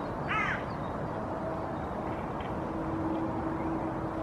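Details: A hooded crow in the background in Helsinki, Finland, in April 2023, gives one short, hoarse caw near the start, then falls silent under a steady rushing background of water or wind.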